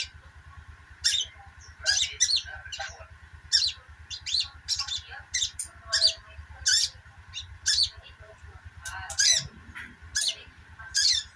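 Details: Twittering sogok ontong, played to coax birds that have stopped singing; bright, high chirps about every two seconds, uneven in spacing, with a constant hum and faint low pulsing behind.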